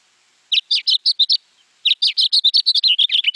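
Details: House finch, a reddish-breasted songbird, singing a fast, varied warble of chirpy notes that jump up and down in pitch, a short burst then a longer run after a brief pause.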